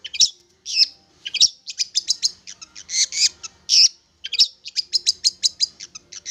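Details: Young long-tailed shrike caught wild and tamed around three months, singing busily: a dense, varied jumble of loud whistles, chatters and sharp chips with hardly any gaps.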